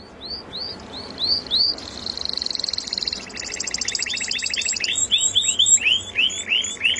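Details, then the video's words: Melodious canary song: repeated upward-swept whistles, then a buzzy trill and rapid rolling phrases, rising and falling in a steady rush of high notes. "suara burung kenari merdu"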